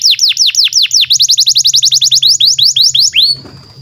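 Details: Long continuous canary song meant for teaching young birds: quick repeated downward-swooping whistles that speed into a tight rapid trill, ending on a sustained high pure tone.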